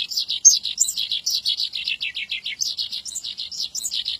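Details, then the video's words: Javan bush lark in lively song, chattering high notes pouring out in quick succession, slightly descending phrases repeated with scattered sharper squeaks, clean quiet background. "Suara Branjangan Gacor"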